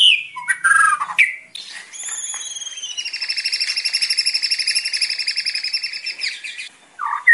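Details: Murai batu (white-rumped shama) training song for untrained birds: varied chirps and whistles, then a long sustained rhythmic high trill lasting several seconds over faint background hiss.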